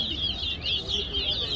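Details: Towa-towa seed finch singing during a head-to-head bird singing competition at Guyana National Stadium: rapid, sweet warbled phrases of high twisting whistles, nearly continuous, over a low steady hum.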